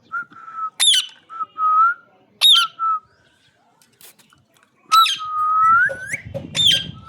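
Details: A green parrot produces steady whistled notes at one pitch, broken by sharp, harsh squawks at intervals, then a long whistle that slides upward near the end, with some low rustling underneath.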